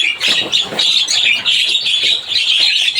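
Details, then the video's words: Javan myna song heard as a short, loud run of harsh, squealing chatter and shrill twittering notes, nearly continuous. "Suara burung jalak kebo cuitannya bikin rame."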